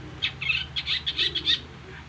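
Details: Long-tailed shrike giving its typical isian filler song: a quick run of short, harsh, chattering notes in bunched bursts over about a second and a half, with a low background hum.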